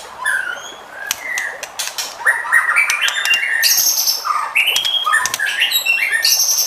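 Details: Varied white-rumped shama song, used to stir other shamas to sing, with rising whistled slurs, high sustained notes and rapid chattering phrases that shift constantly in pitch.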